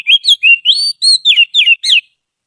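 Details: Trained white-rumped shama used for tutoring other birds, singing a rapid run of loud, sweet whistled phrases, each note swooping up or down, about eight notes in two seconds, with no other sounds.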